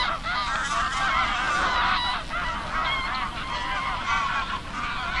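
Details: A large flock of geese at Oby, Norfolk, UK, honking together in a dense, continuous chorus of overlapping nasal calls, with no gaps across the whole stretch.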